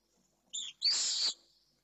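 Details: Three pallid swift chicks in a nest at Jerez, Spain, begging: a short high hiss followed by a longer harsh, buzzy shriek lasting about half a second, in otherwise quiet surroundings.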